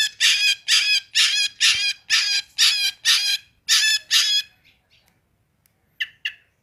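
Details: Long-tailed shrike in full, fast song in the 'roll tembak' style: about nine harsh, raspy bursts of roughly a third of a second each, in steady succession, then a pause and two short, sharp notes.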